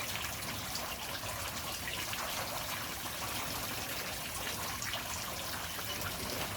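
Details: Steady rushing water, like a flowing stream, fills the whole recording with no animal voice standing out.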